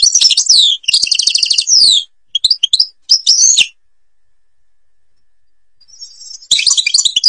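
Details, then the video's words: European goldfinch, Babors forest, Algeria, singing bright twittering notes and a fast buzzy trill, then scattered chips and a slurred phrase, a long pause, and another burst of twitter. "canto jilguero argelia"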